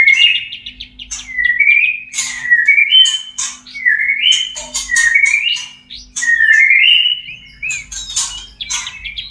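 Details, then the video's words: Caged white-rumped shama in breeding condition repeating sweet sliding whistles, each phrase swooping up and down, alternating with crisp high clicks and chirps at a lively pace; soft hum underneath. "JEBOL BIRAHI BURUNG MURAI BATU TERBAIK !! murai kawin"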